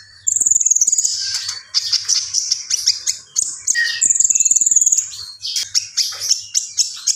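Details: Common iora singing persistently with thin, very high buzzy trills, quick repeated chirps and a lower whistled note in the middle, all delivered in rapid sequence.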